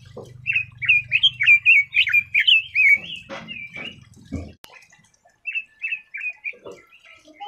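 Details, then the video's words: Red-billed leiothrix (Leiothrix lutea) singing: a quick run of bright, warbled notes rising and falling, delivered in a burst of about three seconds, then scattered shorter phrases after a pause, over a low hum at the start. "Red-billed Leiothrix Singing Voice - Leiothrix Lutea bird"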